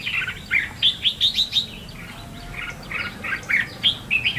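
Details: Red-whiskered bulbul singing in competition style as a decoy voice: a run of five or six crisp, clear rising whistles, a brief quieter pause, then another string of chirpy, slurred notes.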